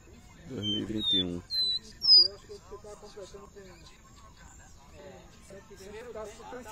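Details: Caged black-bellied seedeater in Recife, Brazil, recorded 30 July 2021 while eating star-grass seeds; a few sharp high whistled notes, some falling, come in a quick burst after a man's speech, with more talking afterwards.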